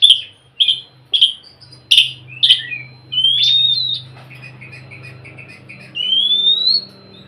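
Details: Oriental magpie-robin singing to encourage a silent bird: five short clipped notes spaced about half a second apart, then a long rising whistle, a scratchy warbled passage and another upward-sliding whistle over a faint low hum.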